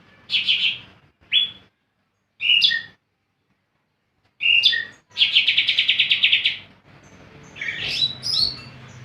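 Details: Lively caged greater green leafbird in strong song produces short whistled bursts separated by pauses, then a sustained rapid trill of repeated notes lasting about one and a half seconds, followed by tumbling slurred phrases.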